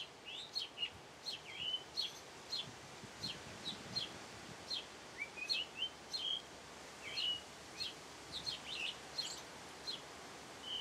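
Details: Singing house sparrow delivering a lively, uneven run of bright chirps and short twittering notes, some falling and some slurred upward, in bursts over soft steady outdoor noise.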